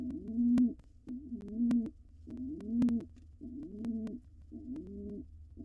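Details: Male pigeon cooing during courtship before laying, a wild bird inside a nest box: five rolling, low coos spaced about a second apart, with a background electrical hum and brief clicks.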